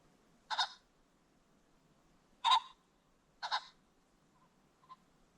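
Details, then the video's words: Ring-necked pheasant calling along a creek bottom at sunset: three coarse, broad bursts, the last one doubled, spaced one to two seconds apart, then a faint short note. "The Sounds of the Ring-necked Pheasant"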